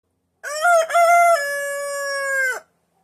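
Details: Speckled Sussex rooster crowing from his favourite spot by a front porch in snow, away from the coop and flock, on his first venture out: one loud, harmonic-rich cock-a-doodle-doo, two short rising syllables then a long, steady drawn-out note ending abruptly.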